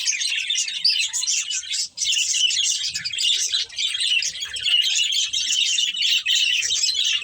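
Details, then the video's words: A budgerigar breeding pair chatters nonstop, a dense mix of shrill twitters, squeaky notes and warbling, one sharp break near the two-second mark, then steady overlapping chirping to the end. "Beautiful Budgies Chirping Sounds"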